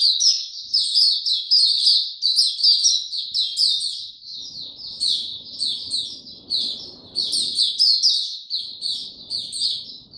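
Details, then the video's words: Lively caged white-eye song: dense, high, chattering notes repeated quickly in running phrases across the whole recording, with soft background noise in the middle. "Mata Puteh Hercules buka sing"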